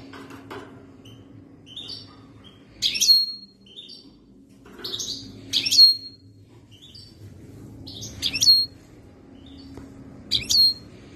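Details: European goldfinch called khloui, ready to mate, 2022: short clustered chirps ending in a thin, sharp high note, repeated roughly every two to three seconds over a faint low hum.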